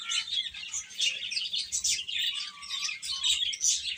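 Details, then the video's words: Chicks of the domestic chicken peep in a lively, crowded chorus of quick high chirps, loudness pulsing as individual calls stand out briefly. "Cute Chicks Chirping Sounds"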